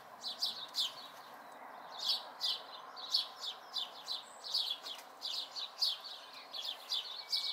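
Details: House sparrow fledglings near home, May 2020, producing a busy run of chirps, singles and quick pairs, fairly even pace throughout, quiet background noise.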